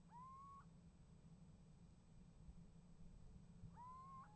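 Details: Two loud, rising, slightly wavering calls from a little owl at a nest box, 28 January 2015, during an exchange with another owl, spaced about three and a half seconds apart over a low hum.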